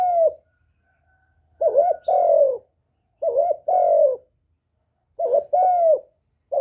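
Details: Spotted dove decoy calling to stimulate newly kept doves, recorded directly without background noise. Paired coos come in phrases: a quick wavering note followed by a drawn-out, gently falling coo, with long silent gaps between phrases.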